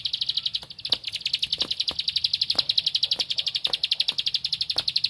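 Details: Bar-winged prinia (ciblek padi) singing while seeking a rival, in the rapid 'tembakan ngempel' style: a long run of sharp, high chipping notes repeated steadily at a fast, even pace, with faint clicks in the background.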